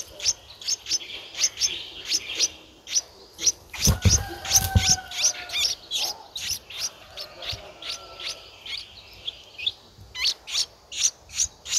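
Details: Begging from a Streak-eared bulbul nestling aged 11 days, Ubon Ratchathani, Thailand, 13 April 2023: long series of sharp, rasping high chirps repeated steadily, with a brief rustling thud midway and a faint whistle.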